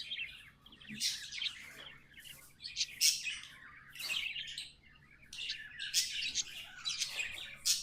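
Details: Pet budgerigars, tamed, chattering in song: bursts of buzzy, twittering high notes in clusters, broken by short pauses around one and five seconds.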